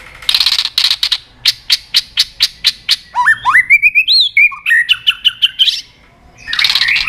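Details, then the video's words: Shama lure song intended to get silent birds singing: sharp clicking strokes repeated several times a second, then looping rising whistles, more rapid notes, a pause, and a final harsh burst. "pancingan murai batu gacor bikin yang lain DOWN!!pancingan burung murai batu nyaut"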